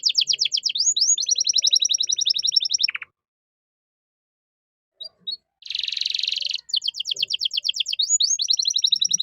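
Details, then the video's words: Canary singing vigorously in the cengkok mewah style for tutoring caged songbirds: long fast trills of rising notes, a brief falling note, nearly two seconds of silence, faint chips, a broad rattling burst, then renewed rapid trilling. "MASTERAN KENARI GACOR || Cengkok Mewah Mudah Masuk untuk Burung Bahan"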